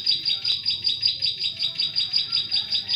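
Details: Repeated high chirping of a Bar-winged prinia, evenly spaced several times a second, played as a lure to trap prinias in forest.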